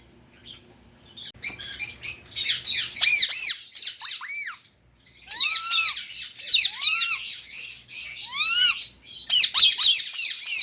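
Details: Rapid scratchy chatter from a pet Indian ring-necked parrot, mixed with louder rising screeches that repeat several times a second in lively bursts.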